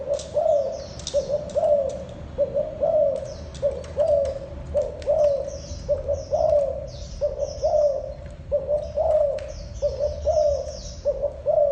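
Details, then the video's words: Long run of spotted dove cooing, short low coos repeated at an even pace for the whole stretch, accompanied by distant twittering birds and occasional clicks. "tiếng chim cu gáy gù"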